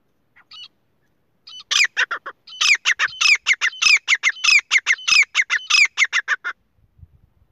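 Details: Partridge, called Irani or Sindhi teeter, giving a loud harsh call series: rapid squawking notes repeated in quick succession for about five seconds after a couple of short soft notes, then silence with faint low thumps.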